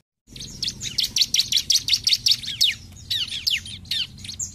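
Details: Bar-winged prinia in rapid 'ngebren' burst singing, used to provoke rivals: a fast, dense stream of high chirps and sweeping notes, several per second, gradually thinning out.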